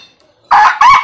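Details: Young red junglefowl crowing: short hoarse syllables, the second rising slightly, rough and strained, cut off at the end.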